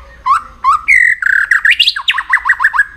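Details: White-rumped shama in song training for contest singing, giving two short upslurred whistles, a sustained clear whistle, then a fast jumble of sweeping, chattering notes.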